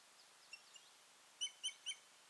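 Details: Osprey pair at the nest on 14 June 2019. Two faint short whistles are followed by three loud, sharp, piping notes about a quarter second apart, over a soft steady hiss.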